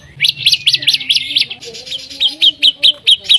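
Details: White-rumped shama song used to spur other shamas to sing: a quick burst of high rising chirps, a brief pause, then evenly spaced sharp whistled notes about twice a second.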